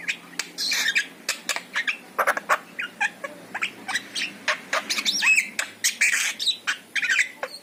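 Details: Javan myna with yellow eyes in full song, used to coax a kept myna into singing: rapid stream of grating squawks, chattering clicks and brief whistled notes, delivered in dense bursts nearly every half second.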